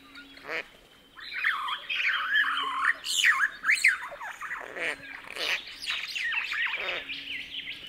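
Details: Satin bowerbird, a species with a wide repertoire: loud, harsh, grating and squawking notes mixed with rapid chattering and mechanical sounds. The bursts are dense and irregular, with a low steady hum in the background.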